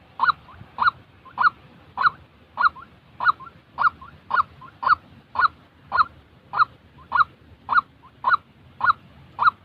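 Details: A genuine white-breasted waterhen, used to train decoy birds for trapping, gives a monotonous string of hoarse, honk-like notes, roughly sixteen in ten seconds, with faint low rumble behind.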